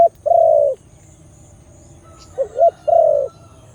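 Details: A loud-voiced Khmer dove cooing: a brief low note, then two mellow phrases, each ending in a long level coo, separated by a pause of about two seconds over a quiet low rumble.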